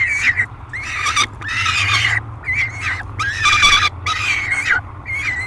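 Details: Nest-box peregrine falcon screaming during feeding, July 2021: strained, buzzy shrieks that rise and fall, some long and some clipped, packed closely with short gaps, low mechanical hum beneath.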